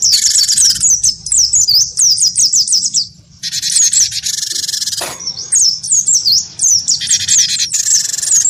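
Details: Gelatik batu, a great tit of the wingko type, sings its fighting song in reply to a white-eye; rapid high whistled notes in long runs, with loud buzzy chatter bursts and a sharp click near five seconds.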